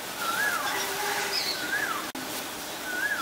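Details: Ashy drongo recorded in Ubon Ratchathani, Thailand, 11 April 2022, giving clear whistled phrases that rise then slur downward, repeated about every second, with fainter high notes and a low hum in the background.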